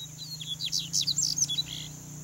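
A male double-collared seedeater sings a quick burst of high, sweet, slurred notes and chips, with a steady low hum underneath.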